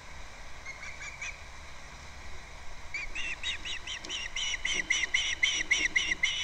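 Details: Osprey at a Captiva nest on February 2nd, caught by a nest camera: faint chirps at first, then from halfway an accelerating, regular series of loud whistled notes, about three to four each second.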